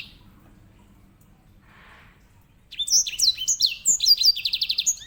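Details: Edel sanger, or grey singing finch, a master bird for canaries, starts singing after faint background hum: quick sliding chirps followed by a rapid repeated trill.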